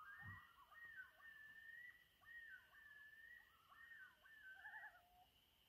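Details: Several loons calling at sunset on Trout Lake in May 2019: long whistled wails near steady pitch interleaved with quavering, wavering notes, overlapping voices from more than one bird, faint steady hum behind.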